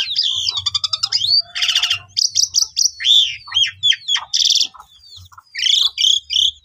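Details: Asian pied starling song meant to trigger silent starlings into long, full singing: fast repeated metallic chips, a loud rasping burst, then bright slurred whistles and further harsh buzzes, dense and energetic throughout.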